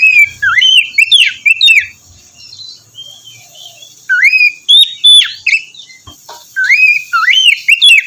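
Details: White-rumped shama singing in the morning to coax a reluctant bird: three bursts of fluty, swooping whistled phrases separated by quieter pauses, with a steady high faint hiss.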